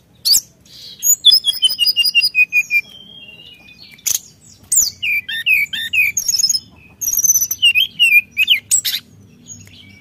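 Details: Brown-chested jungle flycatcher, singing vigorously against rivals, pours out descending whistled runs, rolling warbled notes and rapid high twitters in several long bursts with short pauses.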